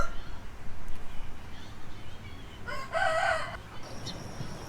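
A rooster gives a brief, strained crow with a wavering, harmonic-rich tone over low background rumble.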